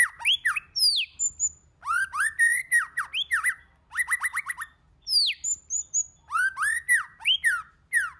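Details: White-rumped shama singing in many voices. A continuous, varied stream of fluty whistles, sweeping slurs and quick repeated chirping notes fills the passage, with only short breaks between phrases.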